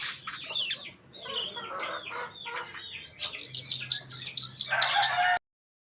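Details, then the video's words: Long-tailed shrike, a 'pastol' style bird, singing a varied stream of short harsh notes, chatters and upslurred whistles, ending in a dense run of sharp high chips and a brief buzzy burst; a low hum runs beneath. "cendet pastol"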